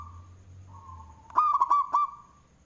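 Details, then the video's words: Zebra dove, local Indonesian bird with a loud voice, performing manggung cooing used as a lure. A soft drawn-out hum gives way to one strong phrase of four rapid, hooked, bubbling coos. A thin constant high tone sits in the background. "Perkutut Lokal suara BESAR Manggung, Cocok untuk pancingan"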